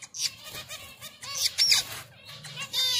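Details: Finches calling while mating: a dense stream of high, nasal, buzzy chirps at an irregular pace, with one clear upward-sliding whistle among them.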